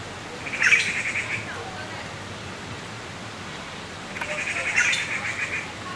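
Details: Taiwan blue magpie chicks beg insistently for food at Qianshan Park, Yangmingshan, Taipei, as the adults forage. Two short bursts of hoarse, scratchy calls come about four seconds apart against a steady background hiss.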